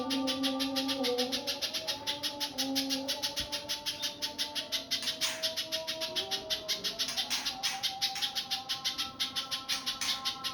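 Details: Spiderhunter call played as a lure: a steady, rapid series of sharp, clicky chips, about three each second, repeated without pause. Low humming tones drone beneath throughout.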